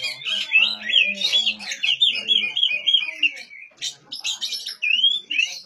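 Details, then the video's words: Song of the oriental magpie-robin, played to make silent magpie-robins sing: a continuous warbling run of sweet, slurred whistles, then brief rising whistled notes after a short pause. "suara asli kacer untuk memancing kacer macet bunyi"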